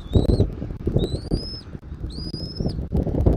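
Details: At a Southwest Florida nest, an eagle gives three clear, high, thin whistles, each climbing gently and ending abruptly, spaced about a second apart, against strong low-pitched wind noise on a January afternoon.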